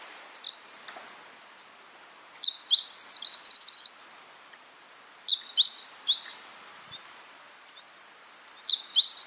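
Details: Meadow Bunting (Emberiza cioides ciopsis) in Takayama, Japan, April 2014, giving brief bursts of high, sharp, twittering notes, a short phrase roughly every three seconds, over a faint steady hiss.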